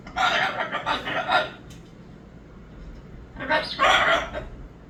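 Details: Two long bouts of raspy, pulsing screaming from a Moluccan cockatoo, each lasting over a second, divided by a quieter two-second gap.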